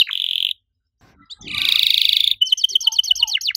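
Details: Canary in lively 'riwik' song with long 'cuit cuit' runs: a short buzzy trill, a pause, then a long rattling roll and a quick series of sharp descending chirps.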